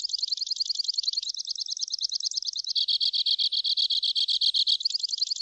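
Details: Two-barred crossbill singing a long sequence of trills, rippling high notes giving way to a lower, evenly pulsed run and back to a quicker high trill.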